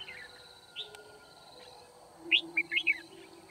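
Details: Red-whiskered bulbul decoy at a Kim Bôi trapping session on 9 February 2019, singing to challenge wild birds. A lone chirp is followed by a loud, quick phrase of four sharp, bouncing whistled notes over a constant thin high tone.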